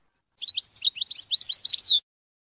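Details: European goldfinch singing a fast twittering run of bright, high chirps and short trills for about a second and a half, rising into a longer slurred note at the end; no other sounds.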